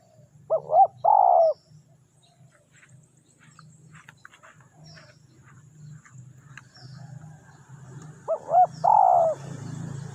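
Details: Spotted dove in a luring session for wild doves gives two full phrases about eight seconds apart, each two brief rising notes then a long buzzy coo, with a steady low hum filling the gap.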